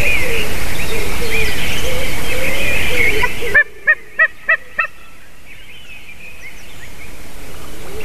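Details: White-tailed eagle recorded on 28 March 2019 at 06:26. After a noisy stretch of background bird chatter, a short series of five loud, clipped, harmonic yelping notes follows at an even pace, about four per second, then fades into quieter ambience.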